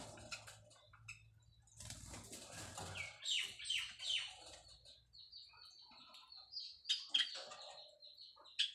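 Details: Breeding white Java sparrows calling to mate as they build a nest: mixed high chirps and falling slurs, then a long stretch of thin steady notes and clicks, over a low hum.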